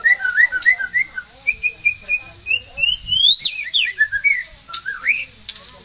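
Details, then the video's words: Pet white-rumped shama pouring out gacor song: clear whistled phrases, first short repeated slurs, then a long climbing whistle, ending in twisting downward and upward notes. "Burung muraiy batu Bersuara gacor"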